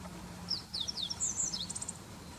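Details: Meadow bunting singing in late March 2021 at the Hiroshima Prefecture Greening Center, Japan. It gives one quick, high, twittering phrase of sliding chirps that ends in a short buzzy trill, over a faint low hum of background noise.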